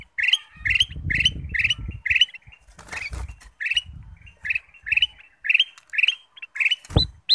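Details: Ruby-throated bulbul (kutilang emas) song used as a lure to make other birds sing: short bright warbled phrases repeated about every half second, with low rumbling background noise in the first seconds.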